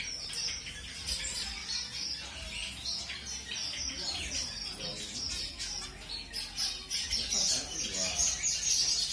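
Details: Mutation-coloured zebra finches being matched with a new partner give steady streams of sharp high chirps and buzzy notes, roughly two per second, overlapping throughout with some soft low sounds beneath.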